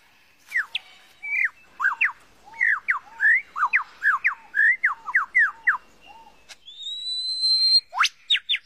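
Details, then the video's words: Mimicking lyrebird from Australian forests: a steady run of short downslurred whistled notes, about two per second, ending in a long rising whistle and a few sharp high notes. "Master Lyrebird burung yang bisa menirukan seribu suara"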